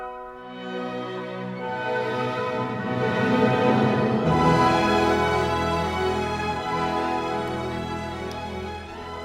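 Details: Sustained orchestral music with layered harmonies swelling and fading, and no animal voice heard.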